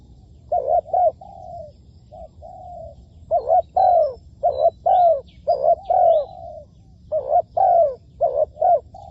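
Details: Decoy spotted dove used in trapping, cooing in a steady series of paired phrases, each a quick note and then a longer, sliding coo. Faint higher chirps from other birds occasionally overlap in the background.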